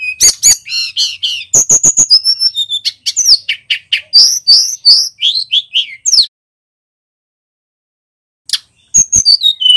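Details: A male bar-winged prinia delivers energetic high song, quick repeated chips followed by looping whistled notes; the song stops for about two seconds, then a few sharp notes start it up again.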